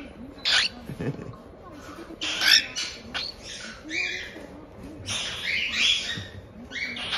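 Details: Young cockatiels about a month old, kept by a breeder in Tokachi, Hokkaido, Japan, utter grating 'jaa-jaa' begging cries after a feed: uneven raspy bursts, some long and some clipped, mixed with a woman's murmuring voice.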